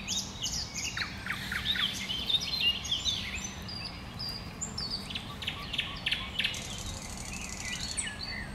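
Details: Common nightingale singing in bushes: rich, varied phrases of whistles, chirps and short trills come in quick bursts over a steady background hiss.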